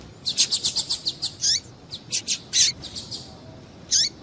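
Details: Calls of a female Double-collared seedeater, used to stimulate a male: a fast, even series of about seven high tweets, then a downslurred note and irregular bright chirps with pauses.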